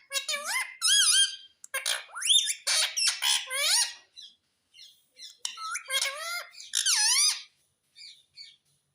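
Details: Pet talking parrot mimicking speech, said to call out "mummy papa", in a small room: a rapid run of squawky, gliding, harmonic syllables in speech-like bursts, with short pauses between phrases.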